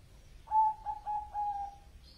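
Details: Bangkok-type zebra dove (perkutut) in full song: a soft, low coo phrase of about four quick connected notes, the first loudest, trailing into a steady hum, against a quiet background.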